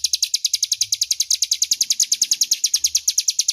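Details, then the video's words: Loud, clear ngebren song of a crescent-chested warbler for magpie-robin training: a continuous fast trill of bright, high staccato notes, each sharply struck, with faint murmurs far below. "suara Ciblek Gunung Ngebren jernih keras berjeda 10 detik"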